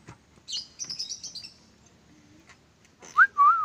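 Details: Pet parakeet whistling: a burst of high buzzy chirps, then a pause, then clear, loud, sliding whistles that rise and wave downward.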